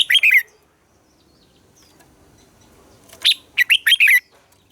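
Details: Red-whiskered bulbul morning song in the mature wild double-note style, used to train captive bulbuls: a short bubbly warbled phrase, a pause of nearly three seconds, then a quick burst of clipped notes running into a second warbled phrase.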